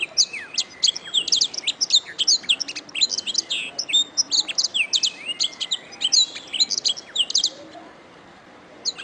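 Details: Canary song recorded as a master track for teaching other birds to sing: rapid, continuous high chirps and trills with quick frequency sweeps, packed into dense bursts, tapering off near the end, with no other sounds.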